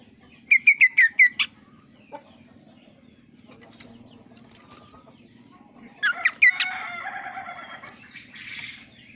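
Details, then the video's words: Kaso-kaso bird giving a varied, clear song: a quick string of five sharp, falling chirps, a pause, then another rapid chirping burst followed by rustling noise over a low background hum. "suara variasi burung kaso kaso gacor"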